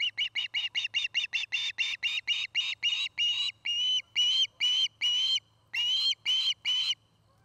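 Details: Osprey at its nest in Charlo, Montana, on a nest camera: a long, fast series of sharp whistled chirps, about twenty, slowing into longer separated notes near the end, over a steady low hum.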